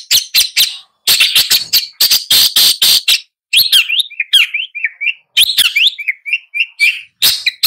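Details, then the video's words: Long-tailed shrike alternates fast rasping bursts with a sweet warbled passage of rising and falling whistled notes, then returns to harsh chattering. "Long-tailed Shrike Bird Song, Sound, Call, Chirp, Melody"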